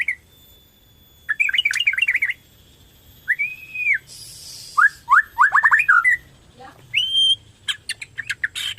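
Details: Bornean white-rumped shama in full song, played to stimulate other shamas to sing: a buzzy trill, a clear arched whistle, quick rising notes and a high whistle, with a faint hiss between phrases.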